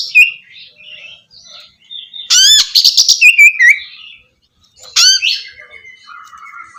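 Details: Oriental magpie-robin song used as therapy for a bird that has stopped singing: soft warbled notes, then loud bursts of rising sweeps and rapid buzzy trills, followed by quieter chatter.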